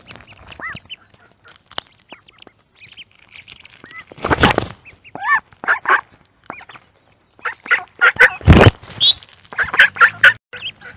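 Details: Duckling in a pond: scattered short peeping and quacking calls with rising and falling notes, interrupted by two loud broadband splashes or knocks, with calls coming in quick irregular bursts late on.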